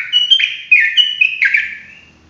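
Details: Rapid ropelan phrase from a lively singing sooty-headed bulbul: loud, clear whistled notes run together, each dipping and rising, ending in a fading drawn-out note; quiet background.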